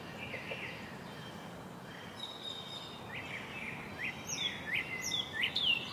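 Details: At an American robin nest where baby birds are being fed, soft chirps give way to sharp, high squeaky notes in quick bursts near the end, over a steady hiss of outdoor noise.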